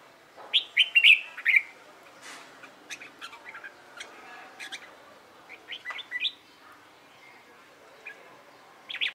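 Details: Caged red-whiskered bulbul being trained for fighting-style competition singing: quick warbled, slurred phrases open the recording, then scattered sharp chirps and clicks, with further short bright phrases near the middle and at the end over quiet background.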